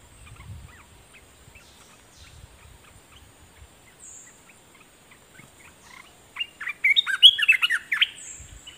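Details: Olive-winged bulbul, a caged decoy bird singing at wild birds. After faint, scattered chirps, a loud, bubbly burst of quick warbled notes breaks out near the end, with a steady high hiss and light background rustle.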